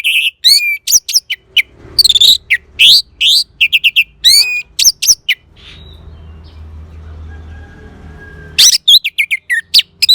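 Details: Orange-headed thrush song meant to encourage a silent bird to start singing: rapid varied phrases of piercing whistles and chirps, a long quieter stretch with a low hum, then loud, fast notes again.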